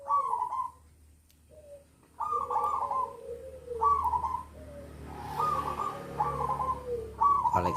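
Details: Local zebra dove (perkutut) kept in a private collection, cooing in short tonal phrases with a rolling, trilled quality, repeated about five or six times with gaps between them, over low background hum and faint human voices.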